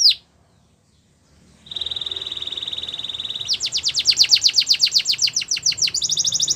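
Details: Russian canary singing for training: a short sweep, a brief pause, then a long steady high whistled note that breaks into a rapid pulsing trill of descending slurred notes, with faint background hiss.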